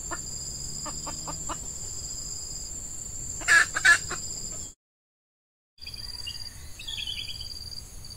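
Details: A red junglefowl decoy hen in peat scrub, during the season when wild hens are active, gives a few soft clucks, then two loud sharp notes, with steady high insect buzzing throughout.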